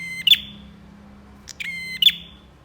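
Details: Bar-winged prinia singing actively, in a masteran training recording: two buzzy phrases, each a rapid ticking rattle ending in a sharp bright note with a trailing sweep, plus a partial phrase between them; quiet background.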